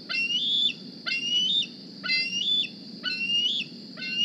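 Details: Squeeing food-begging calls from a young bald eagle, hatched 8 April 2020 and fitted with a GPS transmitter, back at the Decorah nest in the morning. High whistled notes rise steadily and end abruptly, about five evenly spaced squeals; gentle background noise.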